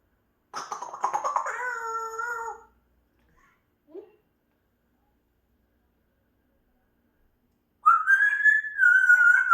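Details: Pet African grey parrot producing a buzzy, harmonic-rich nasal note of about two seconds, a short soft sound, then after a long pause a bright rising whistle that holds steady.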